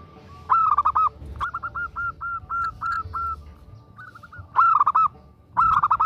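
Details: Calling to a male, a female zebra dove gives short, loud staccato coo bursts that alternate with a steady line of evenly paced single coos, then ends with another quick rattling series.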